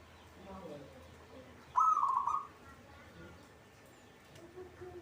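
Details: Local zebra dove kept in a cage, delivering one loud, quick, warbling series of trilled coos lasting under a second amid soft low rumble and faint background sounds.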